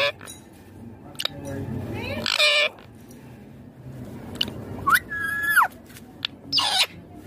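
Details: Indian ringneck parakeet, green, uttering scattered bursts of speech-like sound: harsh harmonic syllables and a sustained flat tone, separated by quieter gaps.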